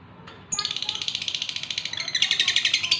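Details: Male lovebird in breeding condition calling to a female: a fast, harsh, high-pitched chatter of rapidly pulsed notes. It starts abruptly after a brief quiet moment and grows louder toward the end.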